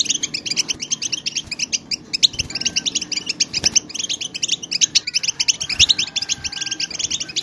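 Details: European goldfinch flock producing excited chatter to help silent goldfinches start singing; quick, glittering twitters and short buzzy trills overlap in rapid bursts, very dense, over a quiet low-frequency hum.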